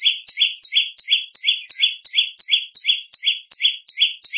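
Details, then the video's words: High, shrill repeated notes of a prenjak lumut, kept as master song for training birds, each note a quick double chirp, in a steady fast rhythm. "Masteran burung prenjak lumut. Si kecil bersuara melengking."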